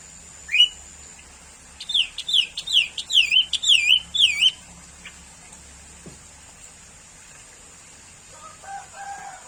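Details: Sooty-headed bulbul, a common bird, singing a rapid run of about seven bright, slurred, rolling notes with a wavy high rise and fall. A short note opens the run, and faint lower whistles follow near the end.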